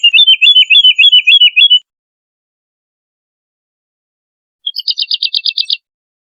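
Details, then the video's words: A melodious wood lark sings a quick series of wavering, repeated liquid notes. After a silent gap comes a second, higher, tightly spaced run of ringing notes. "BURUNG WOODLARK ‼️GACOR SUARA MERDU"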